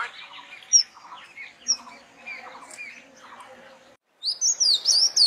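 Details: Birds twittering softly in a jumble of short mid-pitched notes with occasional sharp high chips, then a brief pause before a burst of loud, high, zigzagging chirps.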